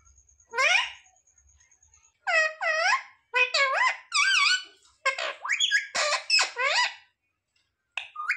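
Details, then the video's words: Mimicking parrot repeating human words, producing bursts of bouncy, harmonic speech-like syllables with looping pitch contours and a few squeaky rising sweeps, set against a faint steady high tone early on. "Parrot talking mithu mithu 😱Mummy papa bolne wala mitthu"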